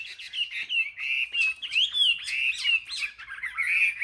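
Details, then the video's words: A caged Chinese hwamei in a Vietnamese market singing contest gives a rich, rambling song of slurred whistles mixed with harsh squawky notes and rapid trills. "Họa mi hót đấu"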